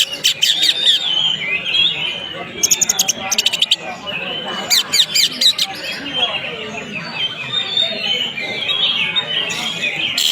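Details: Greater green leafbird, a promising fighter bird, delivering a continuous, varied warbling song of rapid chirps and high whistles, broken by sharp bursts of dry clicking notes near the start and around three and five seconds.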